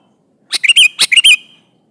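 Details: Sooty-headed bulbul calling an opponent, singing loudly and often; two rolling, bubbling phrases in quick succession, each a short run of warbled notes with a slight upward lilt.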